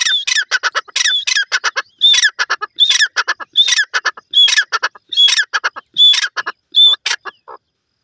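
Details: Repeated grey francolin (teetar) calling, including the Iranian teetar voice: about eight phrases at roughly one per second, each starting with a clear whistled note followed by several harsh, rasping notes. The series stops abruptly near the end.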